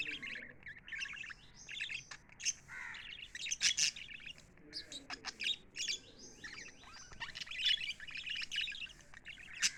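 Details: Happy pet lovebirds chirping together: dense, overlapping bursts of high, sharp chirps and short squeaky notes, rapid and almost continuous, with a few louder harsh squawks standing out.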